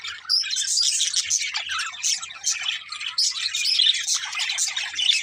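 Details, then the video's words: Happy parakeets (budgerigars) singing and playing, a steady stream of overlapping high chirps, trills and scratchy warbles with no breaks, lively and busy throughout. "Budgies Chirping Sounds | Happy Parakeets Sing and Playing"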